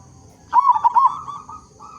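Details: A local zebra dove with a big voice, used to lure other zebra doves into singing. It gives one short, bright, rolling cooed phrase that wavers up and down, followed by fainter held coo notes.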